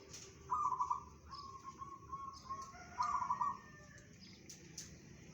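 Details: Local zebra dove delivering its bedah karang song, said to carry 500 metres: two bright trilled cooing bursts linked by a softer steady coo, with faint clicks in the background.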